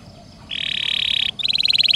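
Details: Canary song used as a master recording for training songbirds, with long rolls and varied bursts: a steady buzzy, rattling note held for about a second, then a short pause and a quick run of sharp repeated notes.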